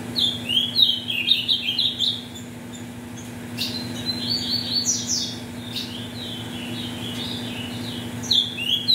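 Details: Ultramarine grosbeak in captivity, offspring of mutation parents, sings to warm up tournament birds. Rapid bursts of high, bright, sliding notes come in two loud phrases separated by quieter twittering, with a steady low background hum.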